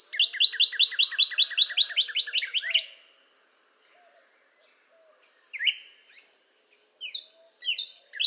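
A northern cardinal sings a fast run of about fifteen clear, down-slurred whistles, then pauses before a few louder, slower slurred notes.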